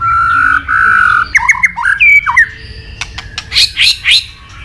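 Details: White-rumped shama of the Medan type in full, continuous song packed with imitated phrases, used to stir other shamas into singing: long level whistles, then quick slurred notes and rising whistled phrases with sharp clicks between them.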